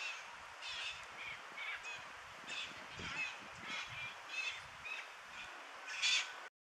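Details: Several golden-plumed parakeets, common every morning at Coconuco, Cauca, in the Central Andes, give harsh, grating screeches, roughly one or two a second, some overlapping, with a louder burst near the end.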